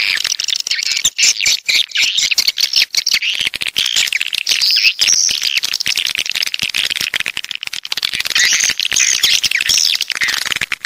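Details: Swiftlets, coastal 'walet pantai' type from the south, giving a dense continuous chorus of high buzzy chirps and trills, many birds calling at once with rapid overlapping clicks throughout.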